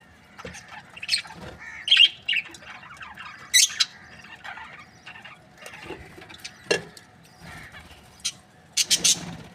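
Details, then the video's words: Australian budgerigar breeding pair, described as happy, chirping: scattered short high chirps and squawky bursts with quieter gaps, a few louder notes near the start and end. "Happy budgie chirping sounds | Australian budgies breeding pair"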